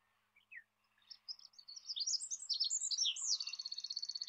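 An olive-backed pipit sings a high, thin jumble of sweet, sliding notes that quickens into a fast, even trill at the end.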